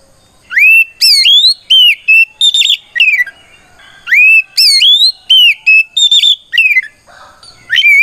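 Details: Fighting song of an oriental magpie-robin in 'ngeplong' style, calling rivals to respond. Two similar bursts of loud rising whistles, each flattening into a held note, followed by clipped chirps and a brief pause.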